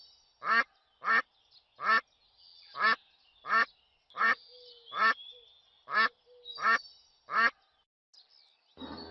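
A duck gives about ten loud, nasal quacks, each short and harsh, spaced roughly every half second to second, with a brief burst of noise at the end.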